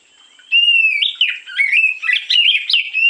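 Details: Morning lure song of an oriental magpie-robin, known locally as kacer: loud, rich warbling with rapid shifts between sweet whistles and chattering notes, phrases running almost continuously after a half-second of quiet.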